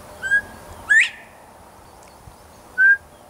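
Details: Male Northern bobwhite calling loudly from a nearby tree in Texas: a short level whistle, then a two-part 'bob-white' with a brief flat note and a sharply rising slurred whistle, followed by another flat whistled note near the end.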